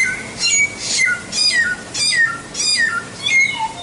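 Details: White-rumped shama singing tutor phrases. Loud bursts come roughly every half second, each pairing high raspy notes with a clear falling whistle, and a lower whistle closes the run.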